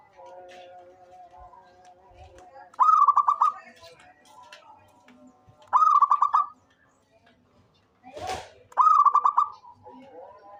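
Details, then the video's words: Zebra dove of a local strain, calling actively: three bursts of fast, bubbly, stuttered coos about three seconds apart, with faint sustained tones and one sharp click between them. "SUARA perkutut LOKAL gacor cocok buat pancingan rajin bunyi"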